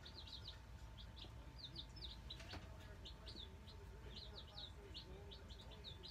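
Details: Just-delivered Black Australorp chicks, nine in a brooder, giving scattered high, sharp peeps in small groups, with a brief knock midway and a constant low hum.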